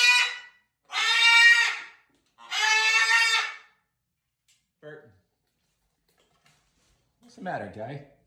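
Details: Macaws calling while being fed dinner: three loud raspy squawks early on, then quiet, with a man's voice speaking near the end.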